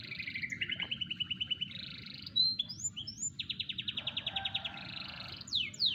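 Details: A canary four to five months old performing its song, 28 July 2020: bright rapid trills in steady pulses, sharp upward chips, a burst of fast repeated notes and closing downward slurs, loud and clear over faint low hum.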